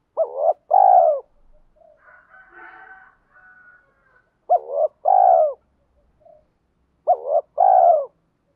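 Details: {'caption': 'Decoy spotted dove calling to lure wild doves, repeating a two-note coo three times about three seconds apart, each a short hooked note then a fuller rolling coo; soft faint murmuring between the first phrases.'}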